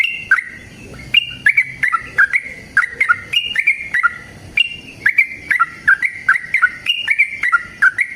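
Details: Continuous rapid song of a sooty-headed bulbul in fighting mode, used to stimulate caged birds to reply: crisp two-tone whistled notes repeated briskly with a slight lull early on.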